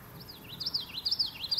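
A common yellowthroat sings a rolling, high 'witchety-witchety' pattern, with bright looping phrases repeated about every half second, over a quiet background.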